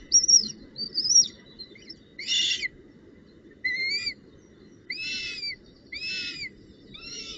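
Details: Northern goshawk at the nest with a branch and prey on 19 June 2018, giving high, thin whistled squeals and harsher, buzzy bursts, repeated about once a second, over a low background rumble.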